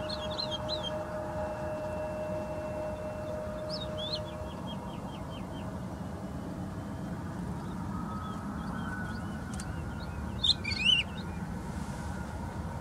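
Woodlark song: thin, fluty phrases, one a quick descending run of repeated notes, with a louder burst near the end, over a steady low rumble of wind or distant traffic.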